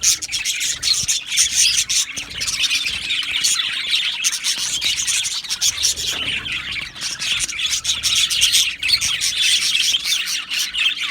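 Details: Colony of budgerigars in an aviary, dense overlapping high chirps and warbling chatter throughout, with short squawks rising above a continuous busy wash of many birds calling at once.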